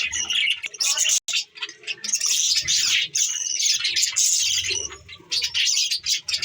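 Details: Pet budgerigars recorded December 14, 2023, chattering in a dense, continuous stream of high scratchy chirps and warbles, briefly broken by a short gap, with faint low rumbling underneath.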